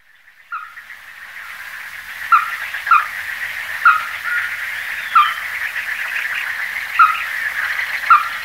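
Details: Ruddy-breasted crake calling: sharp, clipped single notes repeated at irregular intervals of about one to two seconds over a steady humming chorus of insects or frogs.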